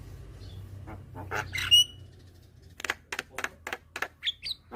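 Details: A young white-eyed Javan myna, calling eagerly with head bobs to lure hybrid mynas, gives a harsh rasping burst and one bright whistle, then a run of dry clicking notes spaced evenly.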